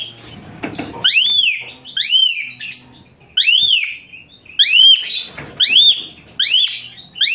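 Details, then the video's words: Captive-style recording of an Asian pied starling singing harsh, high-pitched arched whistles for tutoring other birds, notes rising and dropping sharply, delivered in quick bursts after a soft opening rustle. "TEMBAKAN KASAR Suara Melengking Tinggi Kicau Jalak Suren Gacor"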